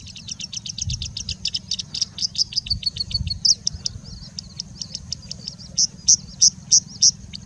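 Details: Singing bushlark in India delivering a long run of rapid high chirps, about three per second, speeding into a dense trill then slowing to loud spaced notes; part of a song full of mimicry of other birds, low rumble beneath.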